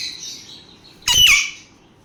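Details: A playing sun conure lets out a thin, fading call, then a sudden shrill, grating squawk about a quarter second long, ringing briefly after.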